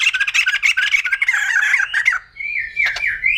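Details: Rapid, harsh, stuttering chatter from a white-crested laughingthrush for about two seconds, followed after a short pause by a thinner drawn-out upslurred note and a sharp click.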